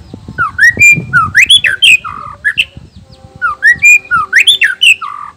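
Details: Singing male white-rumped shama, Nias black-tailed type, voice meant to make other males angry and sing: loud varied whistles, rising and falling slurs repeated in two similar phrases with short pauses.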